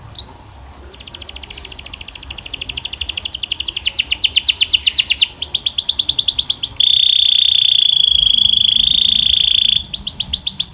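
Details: Canary singing: rapid trills of repeated notes that rise gradually in pitch, shifting to a steady high buzzing roll and then a fresh fast trill.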